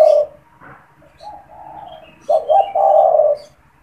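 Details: Spotted dove in a cage, used to draw in and stimulate other doves: a loud coo fading into soft low coos, then a stuttered double note and a long humming coo, with faint high chirps behind.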